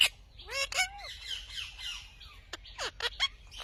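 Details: Pet Indian ringneck parrot talking; a harsh squawk, two falling tonal syllables, a raspy drawn-out phrase, then several sharp short squawks close together.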